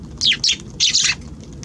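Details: Sparrows visiting a balcony on 6 January: four quick, high, slightly descending chirps given in two pairs, over a low steady rumble.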